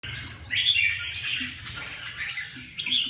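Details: Red-whiskered bulbul singing a short warbled burst of bright, slurred whistles in the high register, a brief pause, then a second rising phrase near the end; faint low rumble beneath.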